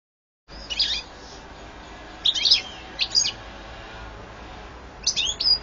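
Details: European goldfinch recorded in 2014, singing in short bursts of bright, tinkling, twittering notes with quick up-and-down slurs, four separate phrases spaced over a few seconds against a soft steady background hiss.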